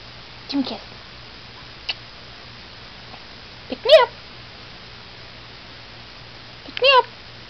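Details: A male blue-crowned conure, a rescued feather-plucker, gives short, harsh, bark-like calls imitating a barking dog; the bird also says "pick me up". Blue-crowned conure.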